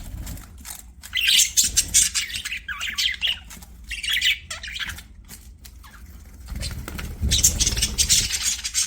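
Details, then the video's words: Budgerigars singing while playing; raspy squawks and buzzy warbled chirps in bursts, a lull around the middle, then rising chatter again. "BUDGIES SINGING PLAYING"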